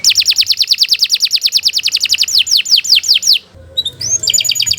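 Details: Canary delivers a fast run of repeated downslurred whistles, slowing into broader falling notes, a brief pause, then high thin tones and clicking trills.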